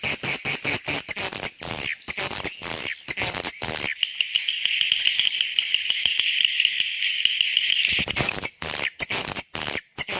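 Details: Swiftlets giving a call said to summon young swiftlets: rapid buzzy chirps at first, then a long continuous high rasping trill from about four to eight seconds, and chattering chirps again at the end.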